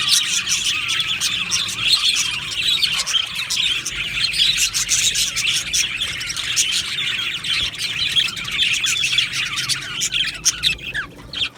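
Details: Budgies chirping together in an aviary produce an unbroken, buzzy high warbling of many birds, loudest at the start and fading slightly in the final second.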